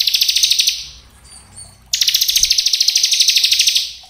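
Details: Bar-winged prinia lure song: a dense, fast trill of high chips, a short break, then a longer run of about twenty evenly repeated notes lasting nearly two seconds.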